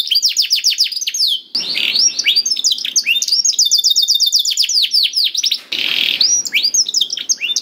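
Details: Canary song played to encourage a non-singing canary: varied high whistled sweeps interrupted twice by harsh, buzzy rattling passages, with a steady sustained tone in the middle and rapid chirps throughout.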